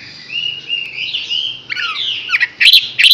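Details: Chinese hwamei, six months old, opening with soft drawn-out whistles that build to sharp, loud, sliding notes and bright bursts near the end.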